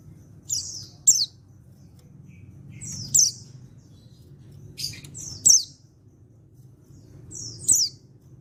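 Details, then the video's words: Male white-eye from Pacitan, an untrained bird, calling to prompt other white-eyes to answer: high, thin downslurred notes in short paired bursts, repeated roughly every two seconds over a low background hum. "Panggilan Burung Pleci Jantan Bahan Pacitan Ini Bisa Bikin Yang Lain Ikut Nyaut"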